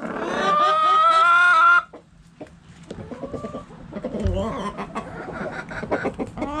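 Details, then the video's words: Backyard chicken coop: a rooster crows loudly for nearly two seconds, then hens cluck in quieter, overlapping bursts with a thump partway through. "Hens Clucking Roosters Crowing!"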